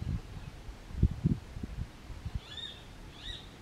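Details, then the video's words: A roadside hawk gives two short, high, nasal downslurred calls about half a second apart, after a stretch of low thumps and wind rumble. "Roadside Hawk vocalizing"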